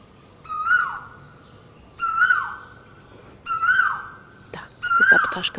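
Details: A koel in Thailand, heard early in the morning, gives four loud, ringing whistled notes, one every second and a half, each swelling then sliding down. A few sharp knocks sound near the end.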